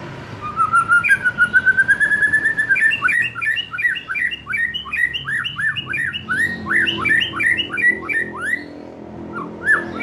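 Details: Young wild white-rumped shama, with a released juvenile, sung to lure birds into loud full song; a long rising whistled note then rapid rhythmic run of bright slurred notes, about three per second, continuing steadily.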